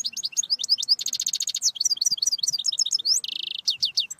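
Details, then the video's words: Loud, dense goldfinch song: fast tinkling and chattering notes with a sustained rasping buzz early on and another near the end, delivered almost without pause. "Chant De Chardonneret Goldfinch Song تعليم الحسون"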